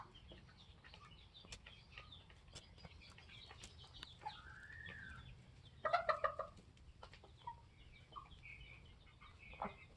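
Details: Flock of 21-week-old Polish layer hens and a rooster; soft overlapping clucks with one drawn, arching call midway and a brief loud burst of cackling notes, plus knocks and rustling.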